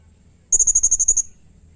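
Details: Serindit, the blue-crowned hanging parrot, in vigorous song for tutoring birds: a quick even series of nine very high, thin, piercing notes lasting under a second.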